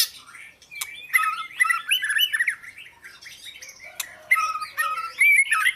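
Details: An Oriental magpie-robin delivers a varied warbling song: rising and falling whistled notes mixed with scratchy chirps, a short pause, then a renewed burst of bright phrases.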